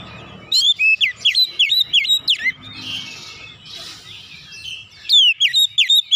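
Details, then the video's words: Oriental magpie-robin singing in a rapid, varied style: fast repeated sharp whistled notes sweeping down, in bursts of about eight notes, a softer hissy pause, then another quick run. "kicauan kacer nembak nembak bongkar isian"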